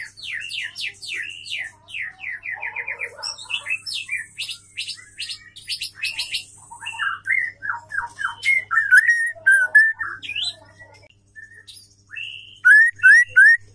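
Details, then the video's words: White-rumped shama female singing, meant to provoke males into full song: a rich, varied stream of whistles, buzzy trills and rapid note runs, some sweeping high and others dropping low, with a burst of repeated rising whistles near the end. "SUARA MURAI BATU BETINA GACOR PENDONGKRAK EMOSI MURAI BATU"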